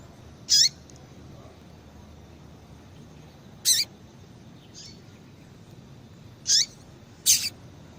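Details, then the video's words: Calls of a female double-collared seedeater, played to stir males into reacting and singing. Four loud, high, clipped notes are widely spaced across several seconds, with one softer note between them and quiet background hiss. "piado de fêmea de papa capim pra esquentar"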